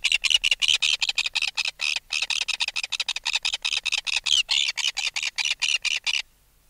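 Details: Alarm calls of an adult red-billed tropicbird taken from its nest, recorded close: a steady, grating rattle of shrill pulses, roughly seven per second, with a brief gap near two seconds, then abrupt silence.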